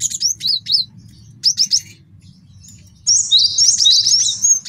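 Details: Quick sharp high chips in short runs, then a long continuous tinkling, chattering phrase; a male cinereous tit recorded as master song for luring and tutoring birds, with a low hum underneath.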